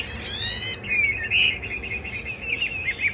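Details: Caged Chinese hwamei opening with a buzzy, harmonic-rich note, then a long rising whistle and a string of quick wavering whistled notes.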